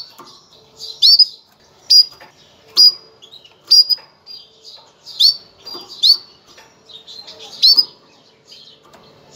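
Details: Female canary making its breeding call to prepare males, a quick series of about nine shrill, high, upswept chirps, some doubled, coming nearly every second in a quiet setting.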